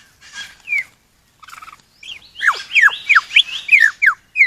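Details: Lyrebird from an Australian forest: faint chattering notes lead into a rapid string of clear, sharply descending whistles, about six in under two seconds, some rising first before dropping.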